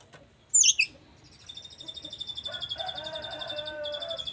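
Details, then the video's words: White-rumped shama singing, agitated by hearing another shama's song: a loud sharp burst, then a sustained high metallic trilling series with lower warbled notes running underneath toward the end. "kacer lain emosi denger suara kacer jabar ini"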